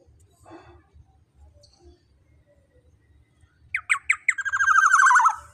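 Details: Black-naped oriole lure sound for provoking rivals: after several quiet seconds with faint low hum, three quick sharp downslurred notes lead into a long, loud, harsh, quavering nasal note.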